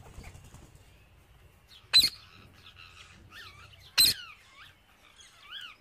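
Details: Parrot eating seeds, giving two loud harsh broadband squawks about two seconds apart, with softer rising-falling whistled chatter notes between and after them; quiet room background.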